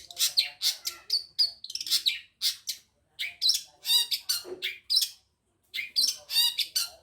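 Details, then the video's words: Long-tailed shrike from Madura singing a mimicry-rich song with imitations of other birds, including finch and canary phrases: rapid bursts of bright chirps, trills and short whistles in quick succession, broken by a few brief pauses. "burung cendet madura tonjolan tembakan ciblek kristal dan kenari"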